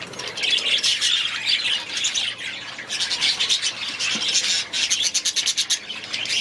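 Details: A group of budgerigars kept in their aviary squawk and warble together: grating chatter with short sharp notes, a brief lull near the middle, then more rapid clicking chirps.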